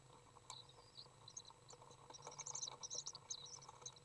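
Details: Inside a nest box on June 18th 2011, a young Common swift being fed by a parent gives a few scattered chirps, then a rapid run of shrill high twitters, with rustling clicks and low hum.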